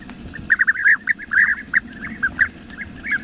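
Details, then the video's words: Bee-eaters in the wild give a rapid run of short, liquid, rolling 'prruip' notes, about a dozen in three seconds, over a low background rumble. "MASTERAN SUARA BURUNG KICAU"Bee-Eater""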